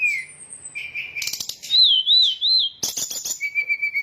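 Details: Sooty-headed bulbul lure song for trapping; a downslurred whistle, then buzzy chatter, a wavering warbled whistle repeated three times, and steady short chirps to finish.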